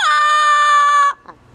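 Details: Pet female double yellow-headed amazon on a cage outing gives one long, steady, clear whistled note held for about a second, then stops abruptly; the room is otherwise quiet.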